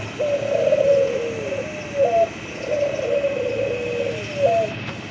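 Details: A white dove gives two long, purring, rolling coos, each drawn out over about a second and a half and closed by a short rising note, with a steady faint tone in the background.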